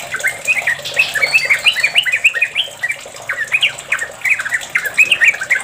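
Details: Long rapid ropel song of a sooty-headed bulbul, used to coax other bulbuls into singing: fast, bubbly, warbling chatter of short notes in quick runs against a constant background hiss.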